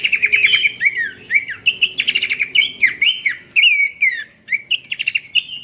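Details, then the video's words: Melodious babbler (pelanduk semak) song used for training other birds, a fast lively run of clear whistled notes, bending up and down, mixed with brief harsh ticks and chirps, ending in quick repeated phrases. "goyangan merdu khas burung pelanduk semak sang guru mastaren"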